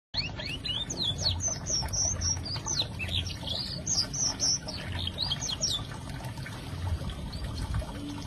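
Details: Young canary learning to sing, practising a rambling series of high, quick whistled notes and slurred chirps in loose bursts, over a steady low background hum.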